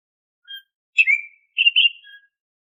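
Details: Oriental magpie-robin (kacer) lure song for caged birds: a soft thin note, a slurred whistle dropping in pitch, then a bright warbled whistle and a quiet closing tone, with silence between them.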